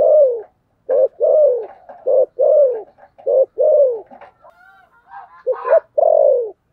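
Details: Fighting spotted dove in thổ sấm gù style. Long, deep, downward coos alternate with short notes in a loud run, followed by softer high calls, then a stuttered phrase ending in one long coo.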